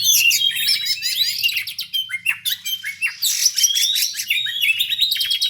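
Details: Oriental magpie-robin in fighting mode, delivering a fast, dense song: rapid overlapping whistles, buzzy trills and sharp chips, high-pitched and continuous with brief dips in loudness, with no other clear sounds.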